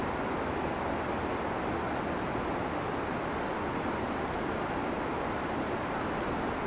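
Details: Green-and-white Hummingbird calling in Peru: a series of thin, very high, short chipping notes given at irregular intervals of about a quarter to half a second, heard faintly over a strong steady rushing background noise.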